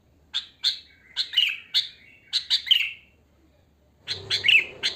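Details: Wild sooty-headed bulbul, natural song without mimicked fill-in notes, used as a lure: short bright chirps in quick pairs and clusters, some slurring downward, with a pause before a louder burst of notes near the end.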